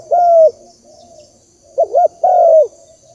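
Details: Spotted dove lure coo: a long, smooth, low coo, a pause, then a quick looping double note and another drawn-out falling coo.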